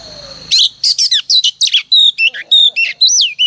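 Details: Female oriental magpie-robin song used as a morning lure to stir males into singing; after a brief low murmur, a quick run of bright whistles, clipped chirps and rising slurred notes at about a hundred per minute.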